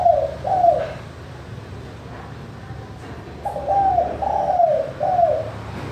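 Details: Spotted dove (tekukur) cooing clearly: soft, hollow coos in two bursts of three to four notes, each phrase rising then falling, over a low steady hum; used as a lure to prompt quiet doves to call.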